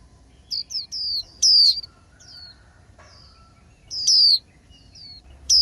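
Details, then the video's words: Female white-eye in spring song. Clusters of short, high, downward-sliding whistles come in uneven bursts with a pause in the middle, then strong loud slurs return. Quiet low rumble beneath. "KHUYÊN MÁI LÚC CẠN XUÂN - Thúc Bổi Hót Líu Hội Ngày Xuân"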